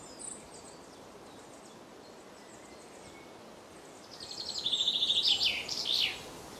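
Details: A nuthatch pair feeds young at Mere Sands Wood, Lancashire, early June 2013, afternoon. After quiet woodland hiss, a sudden run of fast, high, twittering notes builds and then ends with a few sharper, falling chirps.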